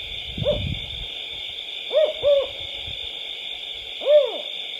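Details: Tawny Owl of subspecies Strix aluco aluco, a nocturnal owl, gives short, low hollow hoots, a single note then a quick pair and another, over a steady high hiss and a brief low rumble; Tawny owl.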